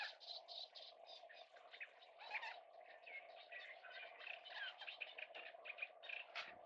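Oystercatchers give shrill, piping 'kleep' notes in quick, overlapping bursts, nearly continuous throughout, over a steady low hum.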